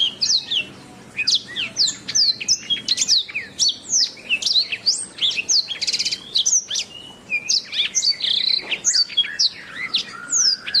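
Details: Steady, energetic canary song of rapid high whistled slides, chirps and short mechanical trills, repeated in quick succession for the whole stretch with hardly a gap, used as a master recording for training birds.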